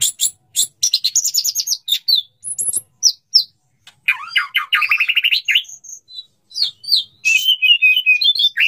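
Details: Male white-rumped shama singing to court a female, wanting to mate; almost continuous, fast, varied song of sharp chips, high trills, looping whistles and mimicked-sounding phrases, densely packed throughout.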